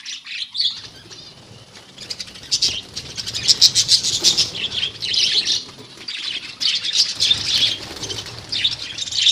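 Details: A colony of budgies chatters in rapid, uneven bursts of high chirps and warbles, several per second, alongside rustling and fluttering sounds from the birds.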